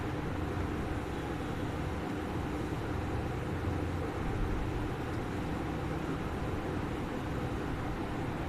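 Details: Steady broadband rumble like passing traffic or an engine, with no animal calls.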